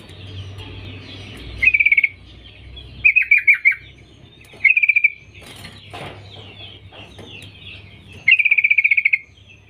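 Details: Female sooty-headed bulbul calling to attract males: four separated bursts of rapid, evenly spaced chattering notes, some slurred and downward, spread over ten seconds, with faint clicks and a low hum between.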